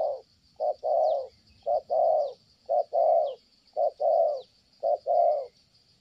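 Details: Spotted dove cooing in Kon Tum, Vietnam: deep, rounded coos, each short note followed by a fuller drawn-out one, repeated about once a second against a shrill, steady insect background.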